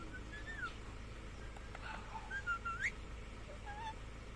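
A ringneck parrot gives a few soft, clear whistles, some gliding down and one sweeping sharply upward, over a steady low room hum.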